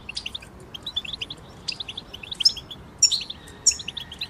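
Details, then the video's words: Group of goldfinches singing to prompt moulting goldfinches to sing; series of short high chirps repeated rapidly, broken by sharp bright buzzy bursts roughly every half second to second. "بتبتة جماعية تساعد الحسون على التغريد والخروج من مرحلة غيار الريش"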